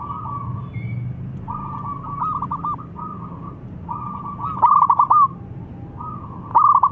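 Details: Actively singing local zebra dove, a song meant to invite opponents: repeated phrases of a drawn-out coo breaking into fast, bubbling staccato notes, with a steady low hum underneath and a few clicks.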